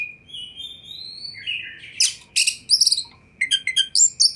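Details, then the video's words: Oriental magpie-robin singing to draw a reply from other magpie-robins, opening with long thin rising whistles, then breaking into loud rattling bursts and sharp chirped notes, with a faint constant hum behind. "100 % Kacer Anda Pasti Respon Tanpa Nanti-Nanti !!!"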